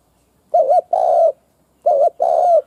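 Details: Two cooing phrases from a decoy spotted dove meant to excite wild doves: each a wobbling two-part note followed by a longer mellow coo that dips at its end.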